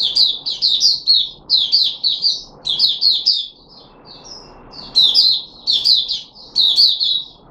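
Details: Red-whiskered bulbul, Puteh Raja type, a kept bird on 13 April 2021, fed fruit juice and a single mealworm. It sings lively, repeated warbled phrases of three or four quick slurred notes each, with one quieter gap midway.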